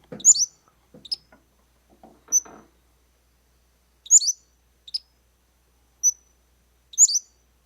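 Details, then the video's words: A Pacific-slope Flycatcher gives very high, thin, sharp notes in short phrases repeated every second or so, a short call-and-response that does not always answer itself, with faint low rumbling and murmur at the start. "Let's listen to a Pacific slope fly catcher."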